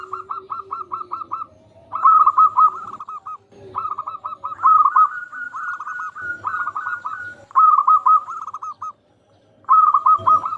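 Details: Zebra dove from a local strain, singing to lure others into song: repeated phrases of quick, soft, trilled cooing notes, several bursts with short breaks and faint low background noise.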